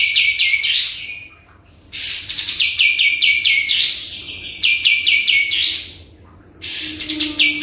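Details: Vigorous sooty-headed bulbul lure song: repeated phrases of quick bright notes with rising end slurs, alternating with harsh buzzy bursts and delivered almost without pause.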